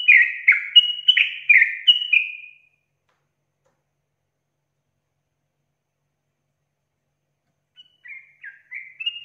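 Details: A yellow-vented bulbul in full song gives a quick burst of bubbly, liquid whistled notes for about three seconds, used as a lure and master song; after a long pause come a few more short chirps.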